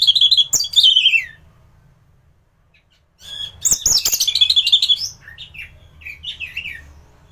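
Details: Strong-singing thrush kept as a training model for other birds gives a short descending warble, falls silent for about two seconds, then bursts into rapid high chips and trills ending in softer rippling whistles.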